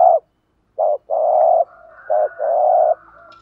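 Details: Spotted dove giving thổ pha gù thúc cooing, used for stirring up decoy birds: short low coo notes followed by two long, even, husky coos, with a faint higher drawn-out tone in the background.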